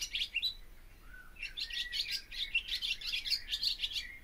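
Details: A few high chirps, a short lull with a low soft whistle, then barn swallow song resumes as a fast, scratchy, chattering twitter.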